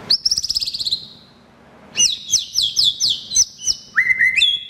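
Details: White-rumped shama, caged, song used as a lure to prompt a silent bird to sing: a buzzy trill near the start, a pause, then fast repeated sharp notes and whistled slides.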